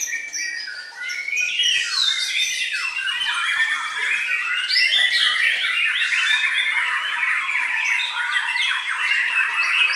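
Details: White-rumped shama singing a dense, unbroken stream of varied whistles, rattles and harsh chattering notes, phrases tumbling quickly into one another with little pause throughout.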